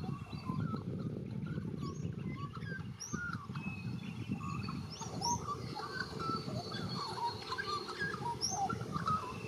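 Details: Australian magpie (white-backed) warbling around Melbourne, with rich fluting notes and chortles mixed with squeaky higher phrases, over a steady low rumble of wind or distant traffic.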